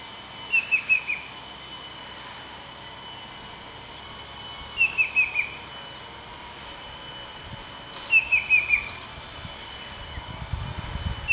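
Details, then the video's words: Banded bay cuckoo (Cacomantis sonneratii) perched low and close in Pahang, Malaysia, calling nonstop for over 30 minutes, possibly in breeding season: three bursts of four quick, shrill, slightly falling whistles about every 3.5 seconds, over hum. "Banded Bay Cuckoo stay low .. making calls"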